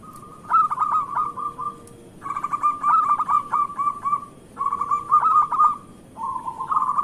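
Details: Local zebra dove song meant to prompt idle doves to sing: three lively bursts of rapid, stuttering cooing notes separated by short gaps, ending with a smoother rolling coo.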